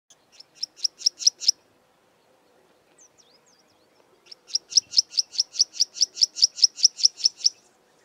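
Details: A Karoo prinia near Kleinpoort, southern Karoo, gives two rapid runs of sharp, high, scratchy notes, about five a second, each run building slightly louder toward its end.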